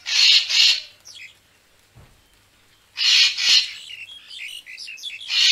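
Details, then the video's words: Racket-tailed treepie calls played as a lure for bird photography: a pair of loud, rasping bursts, a quiet gap, then another harsh pair trailing into short chattering notes, with a final grating burst at the end. "เสียงนกกาแวน คมชัด Racket-tailed Treepie sound"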